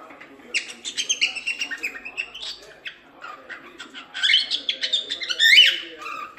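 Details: Cockatiel singing to train cockatiels: a rapid stream of chirps and warbled notes, growing louder toward the end with a sharp rising whistle.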